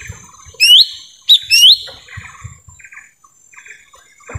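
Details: Lesser green leafbird calling in a forest, a sound meant to attract wild birds: three loud upslurred whistles in quick succession, followed by quieter buzzy chirps and a low thumping noise.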